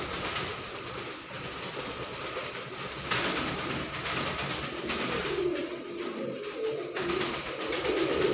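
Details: Fancy pigeons kept in a loft give soft, low coos in the second half, partly masked by a steady loud hiss and rattling background noise.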